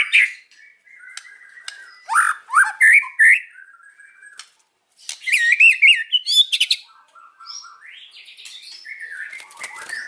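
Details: White-rumped shama singing in the afternoon: varied whistled phrases and slurred notes around the middle-high range, broken by sharp clicking bursts, with short pauses between loud phrases and softer warbling in the gaps.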